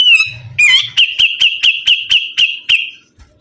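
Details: Sibuntung bird in full, lively song. A couple of squeaky slurred notes open into a steady series of about eight sharp, high, down-slurred chips repeated roughly four times per second, then it falls silent.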